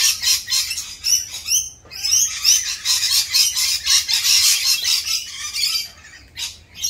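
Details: Mating-season rainbow lorikeets, raucous during their mating dance: a dense, continuous screeching chatter of many harsh high calls, pulsing rapidly and almost without pause before thinning near the end.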